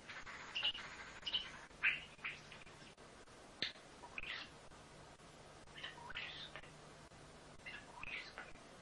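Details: Talking pet starling, a female kept in New Zealand that mimics human speech, produces a loose run of short scratchy syllables, clicks and brief whistled notes, quieter toward the middle, spread over about nine seconds indoors.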